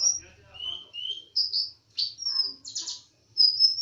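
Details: Bird in lively singing form, called konin dacok: varied high chirps and short whistled phrases with slurred and buzzy notes, delivered in quick bursts separated by brief pauses, with faint low hum beneath.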